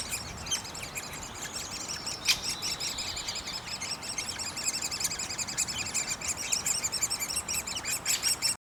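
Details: From a great spotted woodpecker nest comes a shrill, overlapping chatter of fast high notes from the nestlings, growing louder toward the end, with a single sharp snap early on.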